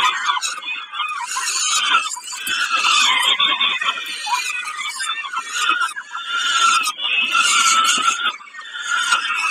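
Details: At Kawęczyn on 20 May 2022, a peregrine falcon eating a snack calls in a string of harsh, grating screeches, rising and falling in loudness with small gaps.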